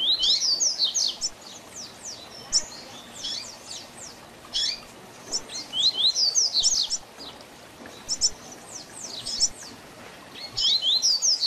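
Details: A double-collared seedeater repeats its distinctive "tui tui zel zel" song, used as a model for young birds learning to sing. Several phrases of quick, high, sweeping whistled notes come roughly every two seconds, with short pauses between them, over a quiet hiss.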